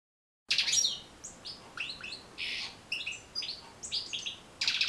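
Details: European goldfinch song recorded for teaching and motivating goldfinches to sing: after a short silence, a rapid, high, tinkling twitter of buzzy and liquid notes, with short pauses between bursts and a loud burst at the end.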